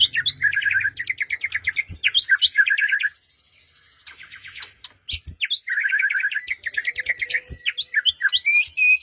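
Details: White-rumped shama song used as a lure to get a silent bird singing, morning or afternoon: rapid chattering and trilled phrases with high sharp notes, a short pause, then another vigorous varied burst.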